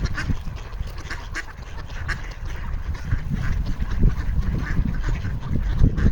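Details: Flock of ducks on a frozen pond in Toronto, calling while wanting food: scattered nasal quacks overlapping each other, set against a steady deep low rumble.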